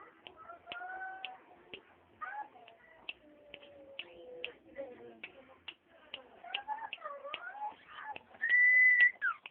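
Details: Common iora with a varied run of whistles. Some are level, some slide down or dip and rise, amid many dry clicks and ticks. It closes on a long, steady whistle that slurs downward.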